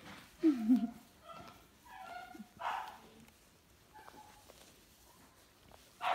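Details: A female pet cockatoo barks like a dog, giving short, harsh, dog-like barks in uneven bursts while people talk nearby.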